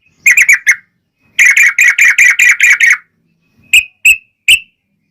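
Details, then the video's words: Yellow-vented bulbul singing in the lively 'gacor' fighting style called 'ropel panjang', used to lure other bulbuls into answering. Two bursts of rapid, bubbly, clipped notes, four then eight, followed by three separate sharp chirps. "trucukan gacor TARUNG ROPEL PANJANG"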